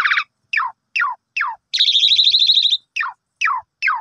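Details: Asian pied starling in a morning lure song aimed at a sulking bird; sharp descending slurred notes repeated roughly every half second, broken by a one-second rapid buzzy trill.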